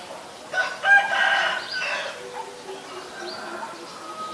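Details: White-vented myna recorded in Ubon Ratchathani, Thailand, on 9 March 2022: a burst of harsh, chattering notes with jumbled harmonics lasting about a second and a half, followed by fainter, lower scattered notes against a quiet background.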